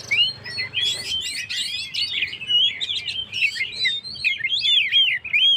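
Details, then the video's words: Oriental magpie-robin (kacer) singing vigorously, used as a lure to rouse stressed birds: a dense, fast run of sharp whistled notes, rising and falling slurs and chirps, nearly unbroken for six seconds. "suara burung Kacer gacor// naikan emosi//pancingan burung stress"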